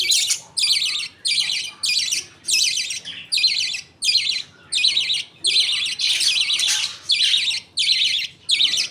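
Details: Budgie father feeding millet paste to his two young as the mother looks on and other birds wait their turn. Buzzy, grating notes come in steady pulses, roughly one and a half per second, against faint background twittering.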